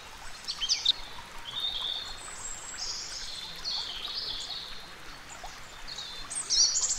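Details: Dipper (Cinclus cinclus) at a river, diving underwater and feeding on morsels from the river bed; high, scratchy warbled phrases and thin squeaky notes repeat through the clip over the steady rush of flowing water.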